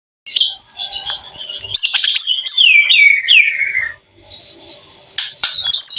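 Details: White-rumped shama singing a competition-style song with mutation fill, a rich run of sweet whistles, sliding notes and quick chirps high in pitch, pausing briefly near the end before a long steady whistle and sharp notes.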